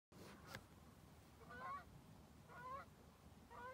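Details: Geese flying south at Lake Ponderay among mountains: three faint nasal honks about a second apart, distant and partly buried in broad outdoor rushing noise.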